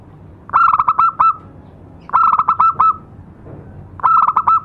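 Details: Local zebra dove (perkutut) lure song: a mid-pitched cooing phrase of a rolled opening note then several short pulsed coos, repeated three times about every two seconds, in a quiet setting.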